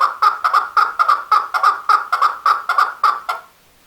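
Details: Male chukar calling in a rapid series of about fourteen hoarse clucking chuck notes, evenly spaced, ending abruptly into silence.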